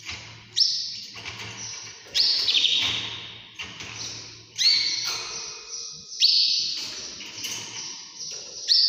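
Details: Canary singing in the early morning, loud high rolling trills that start abruptly and fade, repeated in phrases a second or two long.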